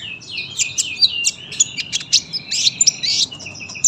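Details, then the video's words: Sunbird with a long, tight song meant for tutoring other birds: a fast, high twittering stream of thin chirps and slurred notes with hardly a break. "KOLIBRI GACOR PANJANG SUARA RAPET, PAS BUAT MASTERAN BURUNG BAHAN."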